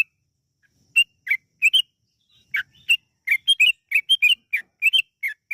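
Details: Yellow-vented bulbul in lively song with long runs, played to stir other bulbuls into singing: after a short silence, bright chirps come in pairs and quick clusters, growing denser toward the end.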